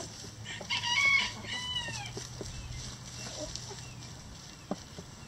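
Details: Chickens in a coop. One drawn-out harmonic call swells and fades over about a second and a half, followed by a few quieter arching notes and light scratching clicks.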